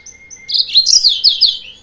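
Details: Lure song of a yellow-fronted canary meant to provoke rival birds: two thin high whistles, then a loud tumbling run of sweet sliding notes and chirps, each phrase falling in pitch, closing with a short downslur.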